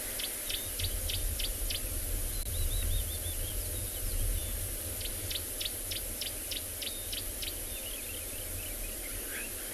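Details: Green-backed camaroptera at Tswalu Kalahari Reserve, South Africa, on a 21 December sunrise game drive near a river, giving quick runs of dry, high snapping clicks, about six a burst, with brief twittering trills between, over a steady low engine rumble.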